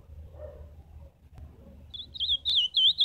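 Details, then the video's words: Live song of an ultramarine grosbeak: after a quiet stretch with low hum, a quick run of high, wavering whistled notes starts and continues to the end, loud and clear. "Canto do azulão ao vivo!"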